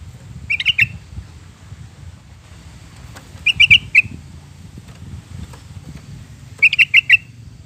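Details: Sooty-headed bulbul song recorded as a lure to prompt pet birds to sing: three short bubbly phrases of four or five quick warbled notes, about three seconds apart, over a steady low rumble.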